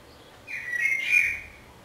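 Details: Common blackbird singing in Budapest on 27 May 2014, filmed from a window hide: one short mellow fluted warble, about one second long, with a small rise and fall. The background is otherwise quiet.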